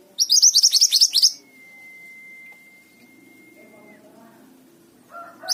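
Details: Mountain tailorbird singing energetically: a fast burst of about ten high, down-slurred notes, then a long, pure, level whistle held for about two and a half seconds.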